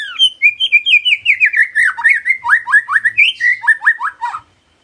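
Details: Murai batu, the white-rumped shama, sings vigorously as a lure recording coaxes it into song: a fast, unbroken stream of rich, warbled and slurred whistles, many dropping sharply in pitch, before it stops abruptly.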